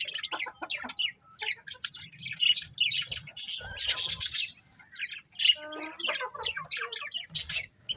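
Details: A group of colourful budgies in busy chatter. Rapid high chirps and harsh squawky bursts crowd together, with a brief stack of clear tonal notes near the middle.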